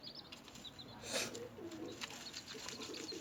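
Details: Newly hatched chicks chirping during feeding. Repeated short, high peeps are interrupted by a loud rustling burst about a second in, followed by more scattered cheeping.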